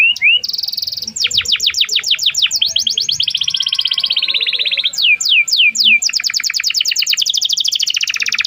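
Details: Long canary song meant as a lure for a young bird learning its notes: a rising whistle, a buzzy phrase, then rapid runs of sweeping downward notes, slower drawn-out swoops and a continuous fast trill.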